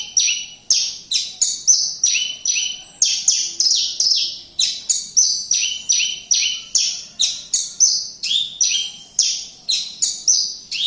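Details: Energetic song of a Javan bush lark in Kediri, a fast, unbroken run of about twenty-five high, ringing notes that each fall steeply in pitch, some given in quick pairs, with a quiet background.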